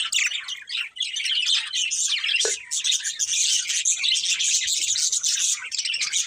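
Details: A breeding pair of pet budgerigars chirping, a continuous dense chatter of scratchy warbles and squeaky chirps that keeps going without a break, with one short dip in the middle.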